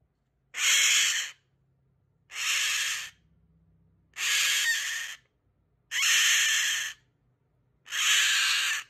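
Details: A pet Goffin's cockatoo screaming for attention gives five harsh, raspy screams, each under a second long, repeated about every two seconds with quiet gaps between.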